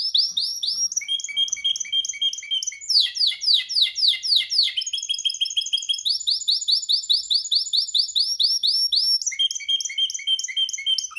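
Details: Caged-pet canary singing passionately during training, an unbroken eleven-second flow of rapid high trills. Tours change every few seconds between thin chirps, deeper rolling notes and fast buzzy runs, with clean background.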